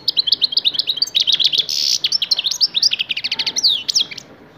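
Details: Six-month-old European goldfinch of the Tlemcen type singing a loud, fast, continuous string of bright tinkling twittering notes, with a short buzzy rasping note partway through and rapid liquid trills.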